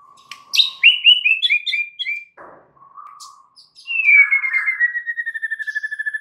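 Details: White-rumped shama song used as a lure to get other shamas singing: a low steady note, then a run of descending whistled phrases, a brief harsh burst, and a long trill of rapid repeated notes slowly falling in pitch.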